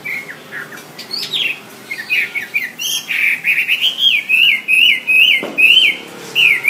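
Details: Wambi song as a tutor for songbirds: a few low whistles and upward sweeps, building into a regular run of looping, wavering whistled notes, loud and bright.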